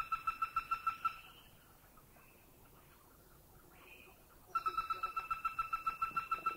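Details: A Greater Flameback, recorded in a Thai national park, gives two fast, dry, even-pitched rattles of about six or seven notes a second, separated by a quiet pause with a couple of faint higher notes.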